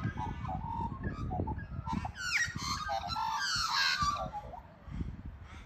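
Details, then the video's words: Australian magpie couple in Australia singing together: a loud burst of rich, warbling carols with rising and falling slurred notes for about two seconds. Softer whistles come before and after, over low background noise. "Couple Magpies always singing together!"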